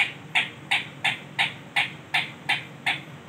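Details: Male ringneck parrot giving a fast, even series of harsh, grating screeches, about three notes every second, nine in all, over a faint low background hum.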